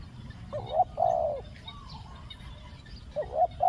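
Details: Decoy spotted dove luring wild doves, giving khu-ang two-word coos: two quick short notes and a drawn-out mellow hoot, then a quiet pause before the phrase starts again. Soft background hum.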